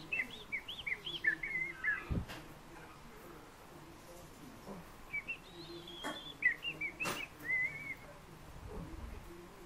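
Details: A fieldfare gives a busy run of quick chirping, squeaky notes, then pauses and follows with scattered whistled phrases. Low thumps and clicks sound in the background.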